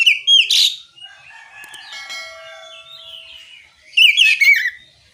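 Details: Oriental magpie-robin in ngeplong song, meant to lure other magpie-robins into singing back. Loud bursts of rich, rapid warbling open and close the stretch, separated by softer, long, drawn-out whistled tones.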